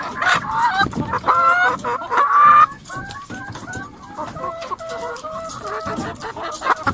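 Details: A flock of hens in a coop: three loud harmonic squawks in the first few seconds, followed by a run of quieter, repeated short clucks from several birds.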